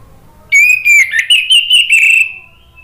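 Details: Orange-headed thrush song meant as a lure and therapy for birds that have stopped singing: one sustained phrase of rich, warbling whistles lasting about two seconds, with quick rising and falling inflections, set against a quiet background.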